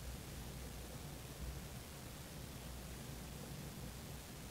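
Steady hiss of static with a low rumble throughout, and no animal voice heard.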